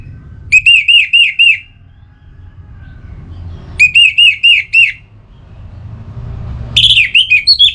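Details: Song of an Orange-headed thrush, used to get birds singing: two fast runs of rolling, looped whistled notes, each about a second long, then a sharper jumbled burst at the end over faint hum.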